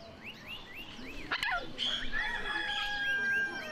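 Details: A pet Custard kakariki sitting by a window looking outside chatters in quick, high arched chirps, several a second, with a sharp knock and a steady thin whistle in the background.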